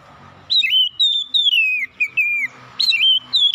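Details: Oriental magpie-robin in morning song, giving rich whistles that slur downward in long glides, broken into short phrases, over a faint low hum in the background.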